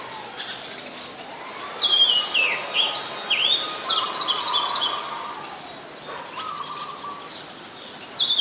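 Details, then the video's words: Wild Oriental magpie-robin, Ubon Ratchathani, Thailand, on 7 January 2021, Nikon P1000; a loud cluster of looping, twisting whistles in the middle, followed by a softer lower trill and quiet background. "นกกางเขนบ้าน (Oriental Magpie Robin)"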